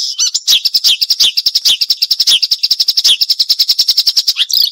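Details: Marsh warbler song for training songbirds: a long, fast, rhythmic chattering trill of sharp high notes, with brief buzzy accents throughout.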